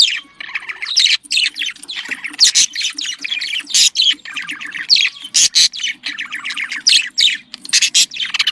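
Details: Budgerigar mating warble for stimulating breeding: dense, chattering runs of quick up-and-down chirps and sharp squawks, packed tightly, with a soft low hum behind.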